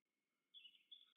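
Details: Black stork pair at the nest in Łódź region, Poland, 8 April 2022, greeting and evening courtship after arriving: two short, wheezy, high-pitched whistles in quick succession, over faint electronic hum.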